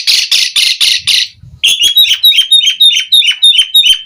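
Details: Asian pied starling singing gacor, full isian with mompa display: five harsh raspy bursts, then a quick, evenly spaced series of bright clipped whistled notes repeated about every fifth of a second.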